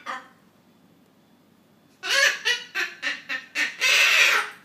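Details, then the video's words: Triton cockatoo, a pet that learned to laugh, laughing along with its owners as they watch a comedy: brief call at the start, then a pause and a burst of harsh, broadband repeated bursts, about four per second. "Triton Cockatoo Julie- Funny Laughing Witch"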